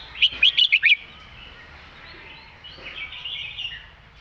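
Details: Red-whiskered bulbul in 'master song' style: a quick, lively run of five bright, bubbly whistled notes in under a second, followed by quieter, softer warbling.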